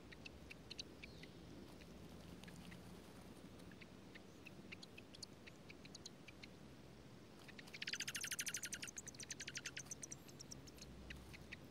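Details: Dark-eyed junco at a nest tucked in a strawberry patch in Washington State, parents tending newborn nestlings in pouring rain: a fast, buzzy series of high pulsed notes lasting about a second and a half, with raindrop ticks throughout.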